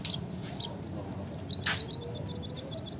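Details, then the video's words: White-headed munia, locally bondol haji: a couple of faint high notes, then a steady, evenly spaced series of thin, bright piping notes, about seven a second. "emprit kaji gacor - burung finch murah suara mewah - white headed munia"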